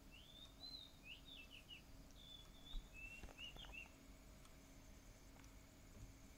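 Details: On 28 April 2018 at 04:37, before sunrise, two faint bursts of high bird song with quick whistled and trilled notes around three to four kilohertz sound over a low hum and steady background noise.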